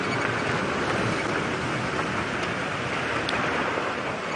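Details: Steady broadband rushing noise, like wind or a moving vehicle, fills the recording without any animal sound.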